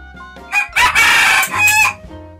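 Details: A 4-month-old rooster trained to crow on command gives one young, rough crow of about a second and a half, rising and breaking into a higher ending, while a woman's voice urges it in French before and after.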